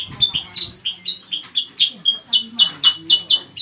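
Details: Bayeman, also called cicak kurincang, singing in a lively way, used as a master song for training competition cage birds: a steady run of short, clear notes near one pitch, about four per second, some slightly rising.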